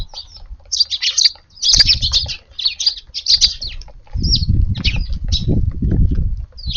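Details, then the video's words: A flock of Eurasian tree sparrows at a garden evening meal on a warm mid-April day: bursts of sharp repeated chirps in quick runs, pausing and resuming, over low rumbling and fluttering noise. "スズメが庭に来ました！ No438 4/14 夕ごはんのチュンたちです"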